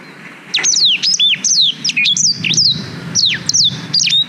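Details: Black-throated canary singing for canary tutoring, captured with a GoPro Hero 5: a long run of high, steeply falling whistled notes and short slurred phrases repeated rapidly for about three and a half seconds.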